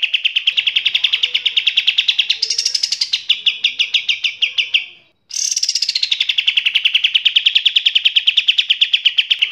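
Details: Eurasian tree sparrows give fighting calls: rapid, harsh, high chirps, about five a second and continuous, with a brief pause midway and a few shriller bursts.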